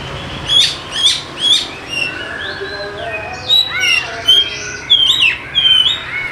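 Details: Oriental magpie-robin lure song for birds that will not sing: three sharp rising notes, then flowing whistled phrases, swooping upslurs and bright high notes in a varied sequence.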